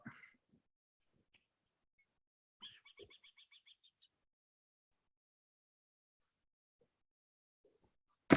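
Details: A Burrowing Owl's alarm, given whenever people approach the burrow, mostly by the male, presumably warning its mate: a quick chattering run of about ten sharp, high notes lasting just over a second, between soft knocks and a loud click.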